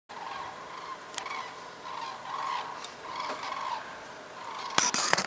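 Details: A flock of common cranes circling over a house in Voerde, Lower Rhine, Germany, on 6 November 2013, turning from a south-west heading to fly south, gives overlapping rolling trumpeting calls that swell and fade; sharp clicks and handling noise near the end.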